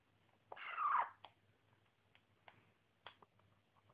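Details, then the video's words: Young African grey parrot, a pet indoors, which squeaks constantly while playing and eating: one short, harsh, raspy squeak with a faint tonal core, followed by scattered soft clicks and taps in a quiet room. "baby grey making noise"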